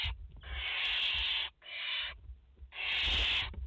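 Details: Barn owl mother and four chicks at a nest in France, 30 August 2021; three loud, breathy screeching hisses, the first and last about a second long, the middle one shorter.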